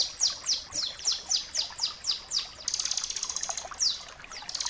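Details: Bar-winged prinia (ciblek kristal) in a tutor recording for training other birds. High, sharply falling sweeps repeat about four times a second, then break into a dense, rapid buzzy trill and resume the sweeps.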